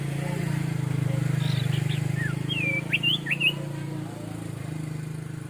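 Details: Orange-headed thrush singing in plong santai style: a quick burst of clear, looping whistled notes that dip and rise, heard over a loud constant low drone.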